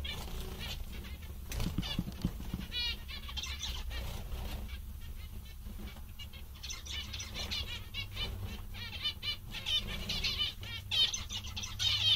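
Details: Contented, lively zebra finches utter runs of buzzy, nasal beeps and trilled phrases. A quieter stretch falls in the middle, and the calling builds again toward the end over a low hum.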